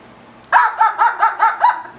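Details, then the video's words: A pet cockatoo, trained to bark like a little dog, gives six clipped, nasal barks in a steady rapid series, about one every fifth of a second, after a brief quiet start. "The Amazing Barking Cockatoo"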